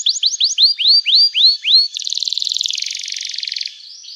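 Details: Lively canary song, played to make other canaries answer and as therapy for canaries that have stopped singing: eight clear downward-slurred whistles in a steady series, then a dense, fast buzzy trill that fades at the end.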